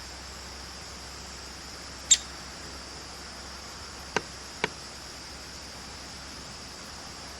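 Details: One sharp, high pik from a talkative female downy woodpecker, followed about two seconds later by two dry clicks half a second apart, over steady hiss.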